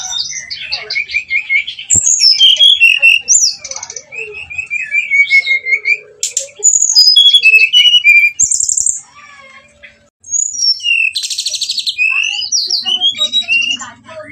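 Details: Brown-chested jungle flycatcher singing a nretet ngeplong nembak lure song to make rivals aggressive: a long varied run of whistled slurs, quick chips and dense buzzy bursts, broken by one short silence midway.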